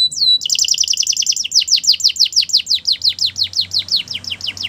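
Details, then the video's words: Belgian canary, sung to make other canaries sing: a short whistle, then a long rolling run of falling notes at roughly four per second. "Special canaries to seduce all the canaries to make them sing | Belgian canary"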